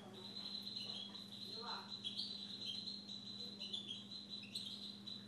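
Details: Pet Siberian goldfinch twittering continuously, a steady stream of high, rapid, slightly buzzy notes with little pause throughout, over a low indoor hum.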